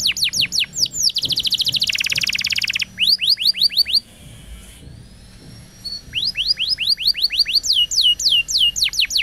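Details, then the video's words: Canary singing a roll-style training song for young birds: repeated falling whistled sweeps, a dense buzzy roll, a short quiet gap, then more rapid descending whistles repeated several times a second. "Canary Bird Singing Roll Video Training Canaries Canary Singing Like A Champion For Young Canary"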